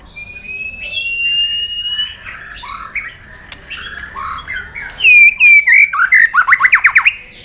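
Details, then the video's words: Provoked white-rumped shama in fighting song: a long pure whistle held at two pitches, then jumbled warbled notes, ending in a loud burst of rapid descending slurred notes delivered in fast series. "Chòe Lửa Đánh Đuôi Sàn Cầu Kích Lửa Hót Căng. luyện Chòe lửa hót đấu"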